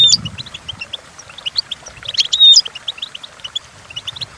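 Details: Goldfinch singing, meant as a tutor song for training goldfinches: quick tinkling twitters and short chirps, a loud jangling flourish past the halfway point, then scattered notes fading out.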